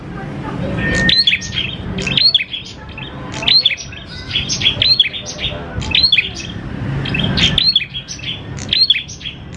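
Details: Vigorous prinia song for luring prinias into song: repeated phrases of rapid, piercing chirps and upslurred whistles, coming every second or so throughout, with a faint low rumble beneath.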